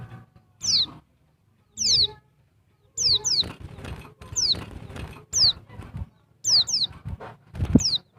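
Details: Female Bali white-eye (pleci dakbal) calls meant to make males sing: high descending whistles, single and doubled, about every second, mixed with fluttering, tapping noises like wings or cage movement.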